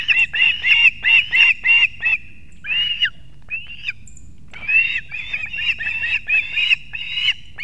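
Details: Ospreys at a nest in Kurzeme, Latvia, early on 3 September 2024 as the male delivers two fish to the chicks; fast repeated shrill whistles, about three per second, broken by a short pause.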